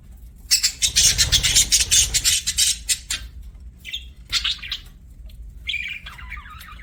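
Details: Budgie chirping as a pet: a fast buzzy rattle of dense high chirps for about two seconds, then scattered warbling notes and a short descending whistle-like phrase, low rumble early on.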